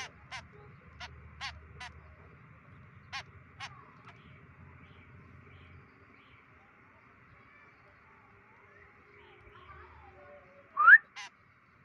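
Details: A White-breasted woodswallow on day 25 of free-flight training gives one loud, harsh, rising call near the end, after a few faint ticks and clicks over a steady background hum.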